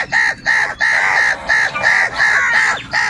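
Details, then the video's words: Angry crow cawing loudly and continuously, crows fighting for food: a rapid run of about seven harsh, hoarse caws packed into three seconds, each call a grating burst with barely a pause between, other birds faint behind. "Crow Crying Continuously and Loudly |kaka sound and noises of crow birds | Angry kauwa ki awaaz"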